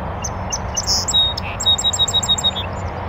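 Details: North American Song Sparrow singing from a bush on a northern USA oak savanna beside a beaver pond: a quick high series of sharp chips and short trilled notes, repeated rapidly, over steady low rumbling background noise.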